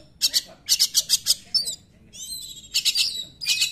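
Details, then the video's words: Oriental magpie-robin delivering 'nembak' song, used as a prompt for magpie-robins that sing little: a string of rapid, harsh, high notes, a thin whistled phrase, then more quick bursts. "KACER NEMBAK, UNTUK PANCINGAN KACER YANG TIDAK GACOR"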